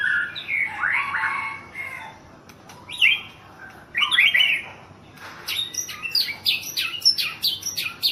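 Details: White-rumped shama, a national contest champion in Thailand, delivers separate bursts of loud varied song: swooping whistles, sharp chattering phrases, and a closing run of rapidly repeated high notes.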